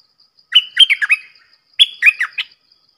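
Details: Red-whiskered bulbul repeating its song twice, each phrase a lively run of four or five rich, warbled whistles with a brief pause between the two phrases.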